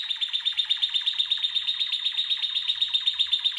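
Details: A red canary's training song: a fast, even tour of bright, high notes, about four a second, over a steady ringing whistle. Belgian canary.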